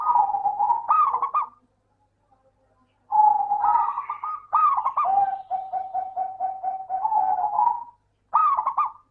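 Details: Zebra dove of local stock singing, used as a lure to prompt lazy doves: warbling cooing phrases, a long steady trill of quick repeated notes, and a final bright flicked phrase after a short pause.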